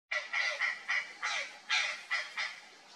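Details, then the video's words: Purplish jay, wild in the Pantanal, startled by something strange in a bush, giving a rapid series of about eight harsh, loud, broadband calls spaced roughly every third of a second, each slightly descending. "GRALHA-DO-PANTANAL assustada, Algo estranho na moita"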